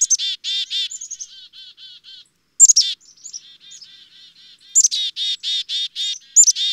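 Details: Repeated chick-a-dee calls of a black-capped chickadee. Piercing high chips lead into loud, harsh 'dee' notes, with gentler, lower buzzy notes trailing between the bouts. The background is silent.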